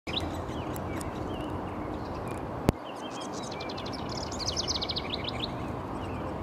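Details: House wren in High Park, recorded 25 May 2021: scattered chirps give way to a bubbly, rapid burst of trilled high notes in the second half, heard over steady low background rumble with one sharp click.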